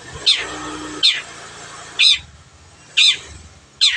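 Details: Long-tailed shrike in full voice, recorded as a clear training recording for other birds to imitate: five harsh, rasping notes sweeping downward, delivered roughly once per second, over a faint low hum.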